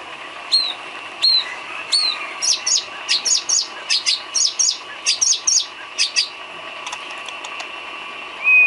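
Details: Filler song of a white-rumped shama for training caged songbirds. A steady series of sharp, high chipping notes repeats roughly twice a second, each note falling in pitch, and ends with a thin whistled note.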